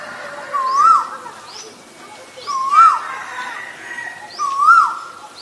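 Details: Three clear, swelling two-part whistles from an Asian koel, each rising then dropping, spaced roughly two seconds apart, with thin high chirps of other birds in the background.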